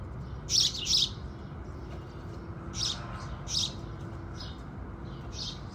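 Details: Sunrise song of house sparrows: a quick pair of loud high chirps, then softer scattered chirps trailing off, with a low faint background drone.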